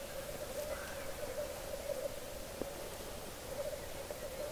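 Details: Black grouse males lekking about one kilometre away at 3:30 am in Hedmark, Norway, heard from a bog edge in forest: a steady, low bubbling coo that runs on unbroken, with a faint higher hiss now and then.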